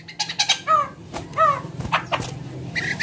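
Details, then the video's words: White-crested laughingthrush calling as a lure for other birds; harsh, nasal downslurred notes and short chattering bursts, irregularly spaced over a low hum. "poksay jambul gacor"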